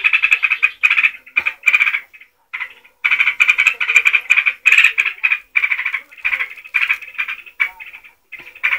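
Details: Sooty-headed bulbul, called trucuk, singing in the rapid ngeropel style used as a training recording for cage birds: dense, chattering bursts of bright notes delivered almost without pause, phrases about half a second long, with only brief gaps between them.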